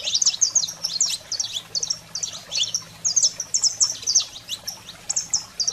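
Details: Song of a saffron finch, 'fogo selvagem' style, meant to stimulate pet canaries: continuous bursts of sharp, high chirped notes and brief trills, bouncing in rhythm, over a steady faint low hum.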